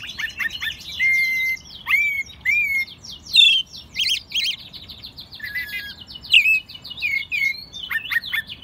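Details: A young American robin, hand-raised from a chick and in its second singing year, sings in Mexico City in March 2020, in spring. It gives a fast run of clear, slurred whistled phrases mixed with squeaky high notes, with other small birds chirping alongside.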